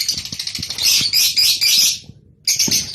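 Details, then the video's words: Breeding-stimulation call of Rosy-faced and Fischer's lovebirds: dense, rapid, shrill chattering with scratchy, buzzy notes. It pauses briefly, then starts again. "أقوي صوت لتزاوج طيور الروز والفيشر"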